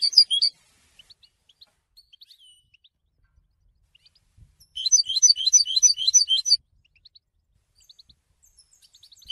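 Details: Goldfinch used as a song tutor: a brief twitter at the start, scattered faint ticks, then a dense two-second phrase of bright, rapid chirping notes, and quiet again.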